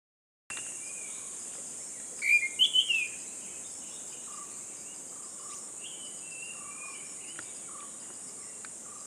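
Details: Unidentified bird singing on a morning in jungle forest: a brief burst of bright rising whistles, with soft lower whistled notes repeated now and then. A loud steady insect drone runs throughout.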